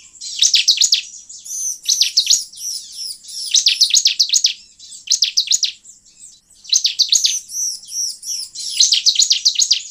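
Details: Bar-winged prinia song used to lure wild birds. Short, loud phrases of sharp, rapid chirps repeat roughly every one and a half seconds, interleaved with softer looping whistled notes.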